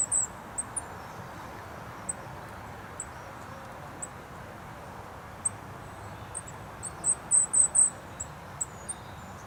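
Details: Goldcrest at Rooksbury Mill Local Nature Reserve, filmed 3 December 2017 on an overcast day; very high, thin, tiny notes scattered sparsely, then a quicker cluster of five near the end, over a steady low roar of traffic from the nearby A303.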